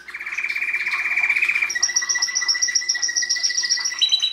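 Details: Singing canary delivering a long rolling trill that shifts into a high, evenly pulsed whistled series, ending with a short drop to lower notes; a faint low hum stays in the background.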